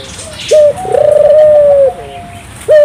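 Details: Singing turtle dove, played to stimulate local doves to sing: one short note, then a long steady low coo with a slight vibrating roll, and another short note at the end.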